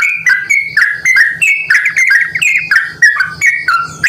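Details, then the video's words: Vigorously calling yellow-vented bulbul used as a lure to make other bulbuls respond: quick bubbly whistled notes tumbling up and down, packed closely and overlapping, with a steady low hum underneath. "panggilan burung trucukan gacor ini dijamin trucukan lain langsung merespon"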